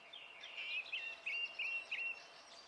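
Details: Song thrush singing, filmed 27 April 2016: a short run of clear whistled notes, the same brief phrase repeated four to five times in quick succession, with faint background noise.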